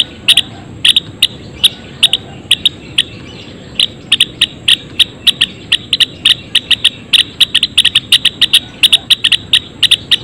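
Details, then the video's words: Java sparrows in a colony cage giving short, sharp chipping notes in quick irregular bursts, often doubled or tripled, with brief pauses between runs; a faint steady high tone runs throughout. "Suara Kicauan Gelatik Belong Di Kandang Koloni!"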